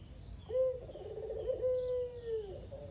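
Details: Local Barbary dove (puter lokal, kugeru), the one bird left of a kept pair after the female died, described as very vocal, cooing at the owner's parents' home: a short rising note, then a long steady rolling coo that falls at the end.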